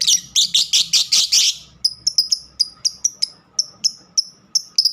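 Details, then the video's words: A household pet lovebird gives a fast, buzzy chatter of shrill notes, then switches to sharp, single high chips repeated roughly every third of a second. "Love birds kesayangaku"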